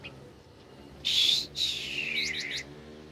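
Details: A very tame captive blue-winged minla gives a short harsh rasp, then a high, buzzy phrase that slides steadily downward with a few quick upward flicks near its end.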